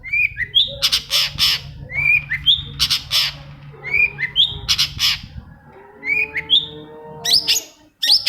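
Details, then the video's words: Long-tailed shrike song, meant to prompt quiet shrikes to sing: short upslurred whistles paired with harsh, raspy squawks, repeated roughly every second, and a low steady hum beneath. "UNTUK MEMANCING CENDET PENDIAM YANG LAGI MALAS BUNYI"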